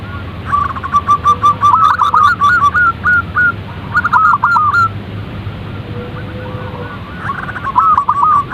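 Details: Zebra dove calling in repeated bursts of quick, rolling coos with overlapping note runs, separated by quieter pauses, accompanied by faint clicks and a constant background hiss.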